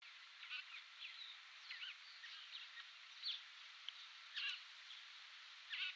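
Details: Sociable weavers at Askham, South Africa, on 14 November 2017 chatter in a busy, overlapping stream of short, scratchy chirps and twitters, with a few louder squeaky notes standing out every second or so.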